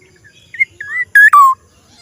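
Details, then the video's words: Black-naped oriole giving an unusual call: a short whistled note, then a curving whistle, then two loud nasal rasping notes sliding downward, over a quiet background. "kepodang suara Aneh"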